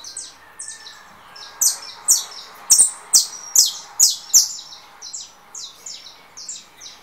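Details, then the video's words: Saffron finch of the russo type, coming out of moult, singing in competition with another bird's recorded song: a rapid series of bright, high chirps sweeping downward, about a dozen notes with short pauses, loudest mid-phrase and fading at the end. "Canário da terra russo"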